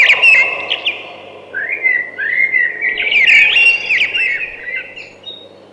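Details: A singing thrush gives a long run of varied, liquid whistles and chattering twitters, rising and falling, fading toward the end.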